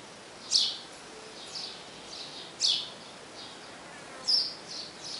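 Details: A male sparrow calling the female to the nest gives short, bright chirps, high-pitched and spaced a second or two apart at an uneven pace, over a steady hiss of background noise.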